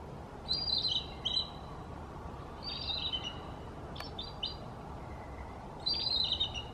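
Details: The oldest of three bald eagles perched in a tree on the Snohomish River gives high, thin chittering bursts of piping notes, four short runs over a few seconds, over rushing river and wind noise.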